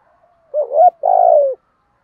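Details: Spotted dove kept as a decoy for luring wild birds, uttering a rising wavering coo followed by a longer buzzy, pulsing note that slides down at the end.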